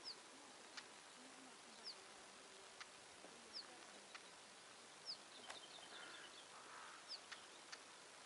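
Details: Male Siberian stonechat, unafraid and flying nearby, with a female somewhere close: thin descending whistles repeated every second or two, mixed with scattered sharp ticking clicks over an even hiss.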